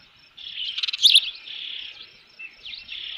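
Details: Osprey at its nest with a fish at a ranch on a June afternoon: continuous high whistled calling broken by a quick burst of sharp chips, then steady shrill notes with slight rises and falls.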